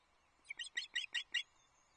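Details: Adult Osprey pair at their Loch Arkaig nest on 22 May 2024, guarding a feisty chick less than six hours old, caught on a livestream camera; a quick series of six sharp, high chirps within about one second, otherwise quiet.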